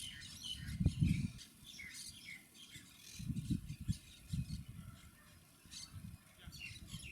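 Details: Monk parakeets (Quaker parrots), Panasonic HC-WXF990 camcorder: short sharp chirps and harsh squeaky notes scattered irregularly, mixed with intermittent low wind buffeting.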